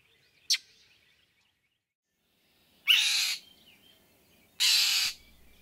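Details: Northern mockingbird (Mimus polyglottos) giving its two common short calls: a sharp, loud chack, then two harsh, nasal, rasping chair calls about two seconds apart.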